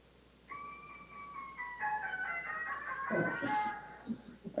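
An oropendola's song, slowed down: pure whistled tones stepping downward in layered notes, with a liquid, plucked, harp-like cascade near the end.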